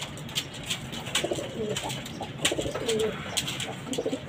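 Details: Pigeons kept on a house rooftop: low, soft cooing murmurs in short rolling bursts, mixed with frequent sharp clicks and taps and a steady faint hiss in the background.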